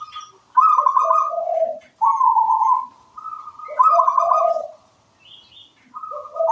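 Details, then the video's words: Local wild zebra dove performing: repeated mellow, slightly trilled coos alternating between a higher and a lower pitch, with short gaps and occasional faint twittering from other birds. "Suara merdu perkutut lokal alam gacor"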